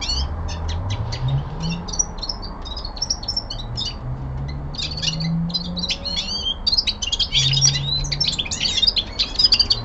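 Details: Common linnet, a young male kept indoors, sings winter descant with sparse chips at first, then increasingly dense twittering runs and trills; low faint rumbling sounds in the background.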